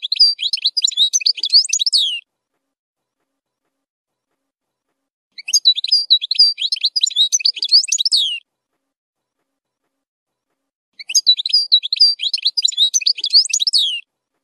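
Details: European goldfinch zilzal song for training young goldfinches, rich in strong phrases; three dense twittering, tinkling phrases about two to three seconds long, separated by silent pauses of roughly three seconds.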